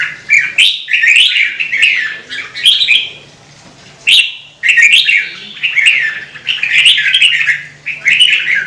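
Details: Song of a red-whiskered bulbul, a Vietnamese cage-bird favourite, meant to prompt other birds to sing: almost continuous liquid, warbling phrases broken by one brief pause, with a soft steady hum behind.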